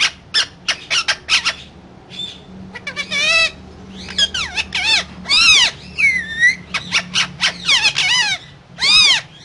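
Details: Pet parrot vocalizing: a busy run of harsh squawks and bright, arching harmonic whistles, some sweeping up and down, in quick bursts with brief pauses over a low steady background hum.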